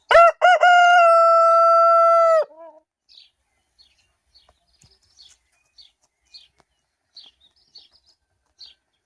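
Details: Rooster crowing in the morning: two short clipped opening notes, then a loud, rich, harmonic note held steady for about two seconds before it drops away. Faint, high, small-bird chirps repeat afterwards.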